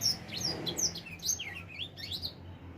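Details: Four-month-old edel sanger finch just starting to sing in full: a rapid run of thin, high chirps and twittering slurred notes, some sweeping down, others rising, delivered almost without pause over a faint low hum.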